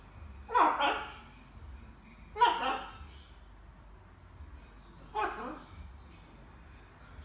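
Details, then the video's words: Young pet macaw babbling in the evening while practising various words indoors: three harsh, throaty speech-like bursts spaced about two seconds apart over a quiet room hum. "Wieczorne gaworzenie małej papużki :), Charlie papuga Ara ćwiczy sobie różne słówka"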